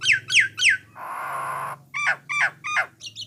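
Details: Jalak Nias, or Jalak Coklat, starling song used to prompt other starlings to sing: three falling whistled notes, then a long harsh rasping burst, then four clipped two-part whistles repeated about every half second, with a low hum beneath.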